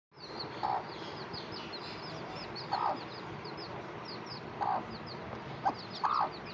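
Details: Mother hen with her baby chicks: low, hoarse clucks come every one to two seconds, about five in all, over a steady bed of high, thin chick peeps and faint background hiss.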